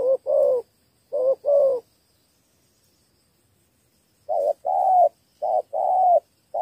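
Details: Spotted dove from Cà Mau, Vietnam, giving a three-note 'thổ 3 âm' coo: a short low note and a longer drawn note in two pairs, a pause of over two seconds, then two more pairs. A quiet background.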